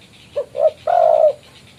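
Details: Spotted dove calling to a rival, the call used as a trapping lure: two short hollow coos followed by one long, steady, mellow coo, in a quiet setting.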